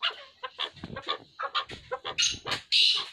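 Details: Chukar partridge pair calling with a series of short, harsh clucking notes, speeding up and ending in louder, higher squawks.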